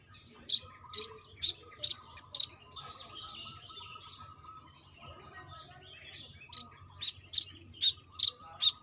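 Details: Lively female brown-throated sunbird calling a male: five shrill high chirps in quick succession, a quiet gap of several seconds with soft twitters, then six more sharp chirps.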